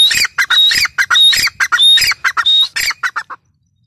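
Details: Grey francolin, known locally as teetar, calling loudly: harsh, rapid repeated notes, some carrying a clear high whistled tone, delivered in a quick run of about a dozen bursts before stopping abruptly.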